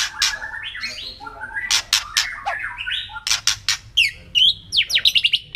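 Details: White-rumped shama kretekan used as a provoking lure: rough rasping crackles and broken warbles build into a quick series of sharp downward-sweeping whistled notes.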